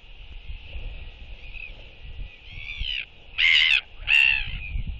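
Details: Royal albatross welcoming an incoming bird with skycalls and displays during a courtship interaction between two birds, recorded 11.6.23. Soft harmonic calling builds into two loud, braying, harmonic bursts near the end, over a steady hiss of background noise.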